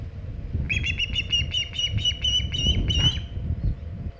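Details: Osprey at the Hog Island nest on 27 August 2019, around 3:50 pm EDT, with a big shad: a quick run of about ten sharp, high chirps, evenly spaced and rising slightly, over low wind rumble.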